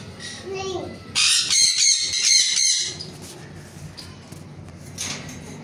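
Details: Ringneck parrot giving a harsh, piercing screech, a run of loud grating squawks lasting about a second and a half, with softer chirps before and after and faint speech in the background.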